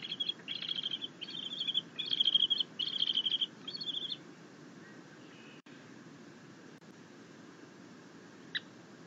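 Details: Bald eagle eaglet chittering while its mother delivers a fish and it feeds, a happy eaglet at the nest; a run of high, squeaky chitters in quick bursts over about four seconds, then quiet hiss with one brief squeak near the end.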